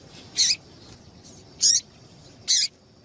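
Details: Female double-collared seedeater giving short high calls, used to stir caged males into singing; three brief, bright chips spaced about a second apart over a soft hiss of background noise.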